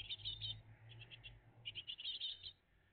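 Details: Great tit family at the nest, morning of 20 June 2023: clusters of high, buzzy chirps in quick rows with a short pause between groups, over a steady low hum.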